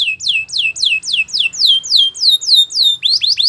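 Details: Belgian canary song used for training, made of bright downward-sweeping whistled notes repeated quickly and evenly, ending with a few short rising notes.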